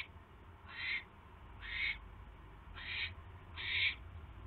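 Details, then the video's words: Owl calling at the nest on the evening of 29 January around a mouse delivery: four rough, breathy, hissing screeches spaced about one second apart over a constant low hum. "Mouse Delivery/8:49PM Mouse Delivery!"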